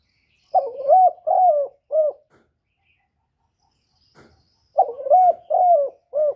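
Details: Spotted dove from Cà Mau, Vietnam, calling in a lure recording meant to provoke decoy birds for trapping. Two phrases of three throaty, warbling coos each come about four seconds apart, with the last coo shorter. The background is quiet.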